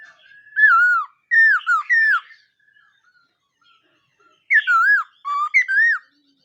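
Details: Loud looping whistles from a black-throated laughingthrush in morning voice training: two bursts of three curling notes each, separated by a quiet gap.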